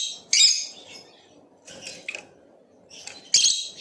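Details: Blue Opaline lovebird giving short, shrill chirps: a loud burst at the start, softer squeaks in the middle, and another sharp chirp near the end, over a low background hum.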